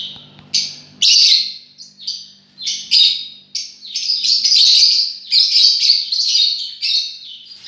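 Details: Lovebirds, several birds described as enjoying themselves, keep up an almost continuous shrill, twittering chatter, building into dense overlapping squeaky calls, with a low steady hum underneath.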